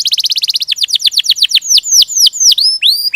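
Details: Canary song in rolling style: a fast trill of short repeated notes slows into downslurred whistles and finishes with longer rising whistled notes.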